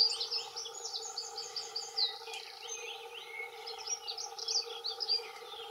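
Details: Two male dunnocks giving territorial song: busy, hurried high twittering warble filling the whole stretch, phrases overlapping, a few sharp thin notes; low steady hum in the background.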